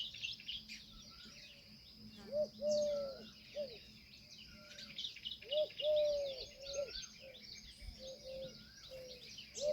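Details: Indian peafowl uttering a series of ringing notes, several short ones and two long level calls spread through the clip, against a constant chorus of twittering songbirds.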